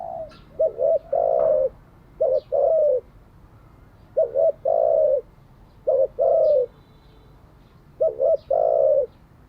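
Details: Spotted dove cooing for daily training of decoy doves: four evenly spaced phrases, each a quick double hoot followed by a longer rounded coo, separated by pauses of about two seconds.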